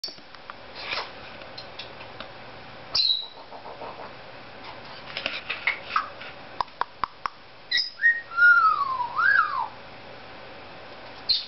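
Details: Pet Cape Parrot indoors in a small room making silly sounds: a brief squawk, scattered clicks, then a clear whistled phrase that rises and falls twice; an owner's voice talks nearby.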